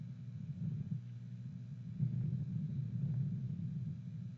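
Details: Quiet, deep rumble of wind against the microphone, with no animal sound.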